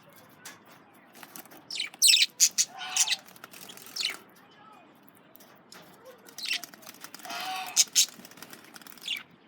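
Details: Male budgerigars eating carrots, giving bursts of sharp, high chirps and squawky chatter in clusters separated by quieter pauses.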